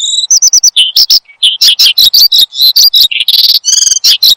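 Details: Oriental skylark in lively full song, used as a lure and tutor sound for cage birds: a fast, varied stream of high chirps, trills and buzzy notes, some with clear overtones, with brief pauses between phrases.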